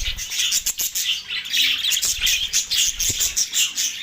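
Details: Budgerigars in Larkana, Sindh, recorded on March 9, 2024, described as going crazy with mating: dense, continuous high warbling chatter with rapid chirps and clicks layered throughout, no pauses.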